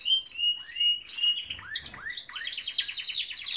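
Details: Canaries singing in the morning: short high whistled notes repeat three times, then curved rising sweeps lead into a rapid rolling trill.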